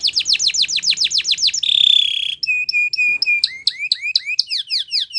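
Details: Belgian canary, training song: quick descending whistled sweeps, a loud rolling buzz, then clear low whistles with high ticks, finishing in fast hooked notes that rise and fall.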